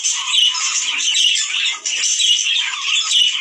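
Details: Budgerigars calling, a sound to prompt males and females to mate: harsh, buzzy warbling with squeaks, near-continuous with one short pause midway.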